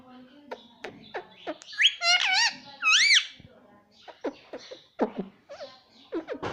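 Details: Pet parrot described as saying "papa": scattered clicks and squeaks surround a few strong, bending, voice-like notes, followed by more short chattering sounds.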